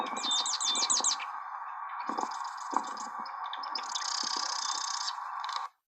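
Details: Marsh wren sings a rapid, rattling trill of high repeated notes, then buzzy, gurgling phrases, amplified from a faint recording; a steady mechanical mill hum, low rumbling and a distant helicopter continue underneath.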